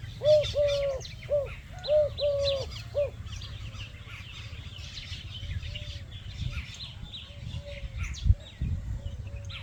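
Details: Dove in a Pakistani village, sitting peacefully on green grass while eating grains, giving soft low coos in short and drawn-out notes for three seconds, then fainter repeats, with light chirping of other birds above.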